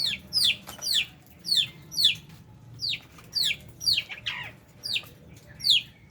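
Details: Lovebirds feeding among budgie parrots utter evenly spaced, high, downward-slurred chirps, roughly two each second, with one rougher lower note midway and a soft hum underneath.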